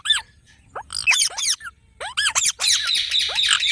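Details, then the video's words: Parrot giving loud harsh squawks and rising-then-falling screechy calls in irregular bursts, with short quiet gaps between groups of calls. "Parrot Sound"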